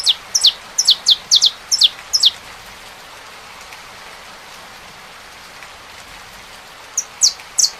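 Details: Saffron finch singing with the sound of rain: a quick burst of high, downward-sliding chirps, several seconds of steady rain hiss, then a few more chirps.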